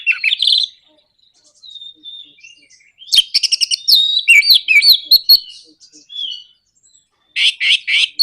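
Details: Orange-headed thrush performing a 'nraktak konslet' lure meant to push other birds into song: scratchy opening notes, soft warbling, then a dense rattling and chattering outburst, ending in loud rasping bursts.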